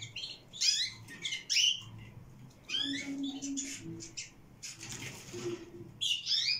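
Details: Young canary chicks at 22 days: clusters of noisy, hoarse squeaks and rasps repeated in bursts, loudest around the first two seconds and at the end, with a faint low hum underneath.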